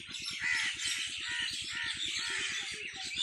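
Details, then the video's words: Evening on a farm: a crowd of birds twitters and chatters in overlapping high notes, with a few clearer whistled calls, while a fast regular low thudding runs underneath. "Birds singing in my farm at evning شام کے وقت پرندوں کی چہچہاٹ میرے فارم پے"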